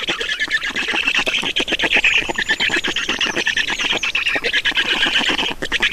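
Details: Estonian Black storks at the nest during feeding, giving loud, continuous hoarse squawks in quick, irregular pulses, with a faint thin whistle drifting above them.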